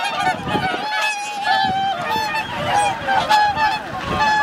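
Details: Dense chorus from a wintering swan flock of 2,628 birds at Lake Hyoko, Niigata, Japan, 8 January 2022; level, drawn-out trumpeting notes from numerous birds blend into an unbroken honking din.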